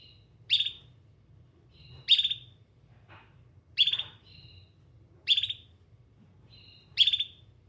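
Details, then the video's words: Canary repeating a short, sharp, bright chirp roughly every one and a half seconds, each one preceded by a faint high note, over a low steady background hum. "Canary Singing"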